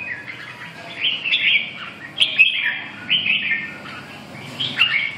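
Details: Red-whiskered bulbul singing: short bursts of bright, warbled whistled phrases around mid-high pitch, in three groups separated by brief pauses, with a low steady hum underneath.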